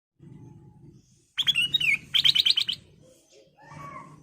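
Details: Golden-fronted leafbird, a lure song for training caged birds: a clear whistled phrase sliding downward, then a fast burst of about seven sharp repeated chirps, later soft lower warbled notes over a low background hum.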